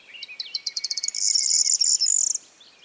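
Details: A corn bunting sings in a meadow by Rozhen Monastery, Pirin Mountains, southwestern Bulgaria, on 21 May 2015: high ticks quickening into a dry, jangling trill of about a second, over a faint steady background whine.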